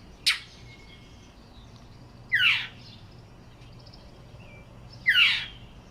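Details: Northern mockingbird on a rooftop in Yukon, Oklahoma, giving calls instead of song, apparently defending a nearby nest; three loud harsh notes about two to three seconds apart, a sharp chack then rasping downward-slurred squawks, faint chirps between.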